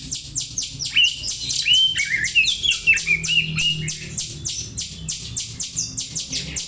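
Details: Oriental magpie-robin mimicking house sparrow, recorded for tutoring: steady, rhythmic, sparrow-like chirps, a little over one per second, with clear whistled and warbled notes woven through the first half.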